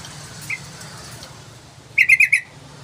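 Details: Yellow-vented bulbul singing briskly: one faint early chip, then a short, bright run of four liquid chirps, slightly rising and falling, against a soft background hiss.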